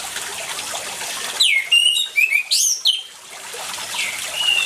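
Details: Lively orange-headed thrush song over running water, used to prompt birds that will not sing: a short outburst of falling whistles and quick twisting notes, then flowing water with a faint whistle at the end.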